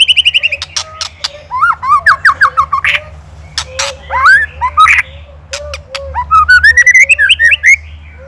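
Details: White-rumped shama from Indonesia, a master recording for training songbirds, in the ketrekan rattling style: sharp dry clicks alternate with slurred whistles and a rising run of quick chirps, with a low steady hum underneath.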